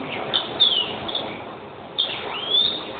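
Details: European greenfinch giving two drawn-out, high slurred notes that sweep downward, each led by short chirps, about a second and a half apart.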